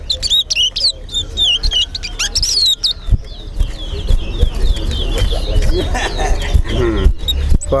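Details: Caged Chestnut-bellied Seed-Finch (towa towa) in a Linden whistling competition: a fast run of high whistled chirps and slurs at first, then softer notes under men talking and crowd noise.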